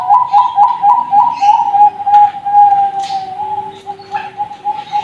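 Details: Young Bangkok-line zebra dove singing at a bird farm, a steady stream of soft cooing notes run together into a near-continuous quavering tone, with faint chirps and rustling in the background.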